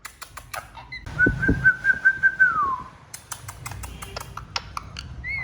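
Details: Pet talking parrot holding one long, steady whistled note that wavers slightly and then slides downward, amid tapping clicks and low thumps indoors.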